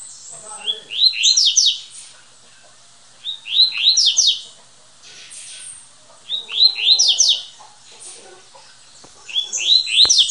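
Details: Champion double-collared seedeater, captive-bred, winner of a municipal tournament with 22 songs in one minute, recorded at its breeder's house; high, sharp, ringing phrases of rapid rising-falling notes, repeated about every three seconds, faint background talk.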